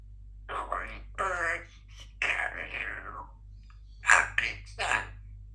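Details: A female Congo African grey parrot (Psittacus erithacus) practising words and sounds on a busy morning indoors, muttering imitated words in breathy, speech-like bursts with sharper squeaky syllables near the end, over room hum.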